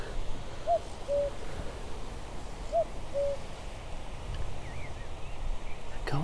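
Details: Common cuckoo, heard close by but unseen, at Summer Leys nature reserve in the UK countryside on a summer morning of blue sky, clouds and breeze, gives its two-note falling 'cuck-oo' twice, about two seconds apart.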